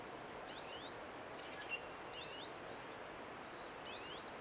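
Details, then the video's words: Pine siskins singing: three short, high twittering bursts with sweeping, slurred notes, roughly every one and a half seconds, separated by quiet gaps over a steady background hiss. "Pine siskins singing"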